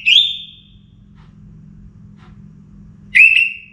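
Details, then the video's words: Before daybreak a caged orange-headed thrush gives two short, clear whistled phrases, each sliding upward and then levelling off, with quiet low background hum between them. "ANIS MERAH Gacor Bunyi Menjelang Pagi"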